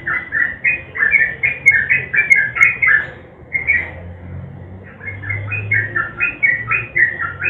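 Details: Sooty-headed bulbul singing energetically as a lure for silent birds: rapid bubbling whistled notes for three seconds, a brief lull, then another run of quick chirped phrases over faint low hum.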